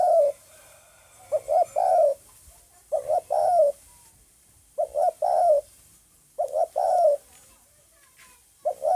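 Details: Spotted dove calling on 9 May 2020, giving a repeated low soft cooing phrase of a few short hoots ending in a longer slurred coo, phrases coming roughly every two seconds.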